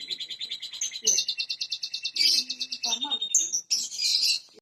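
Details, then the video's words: Canary singing, used to stimulate silent canaries: a high rolling trill of evenly pulsed notes, then sharp whistles, chatter and a loud buzzy flourish at the end. "terapi ampuh kenari macet bunyi sekali putar langsung gacor cocok buat pancingan"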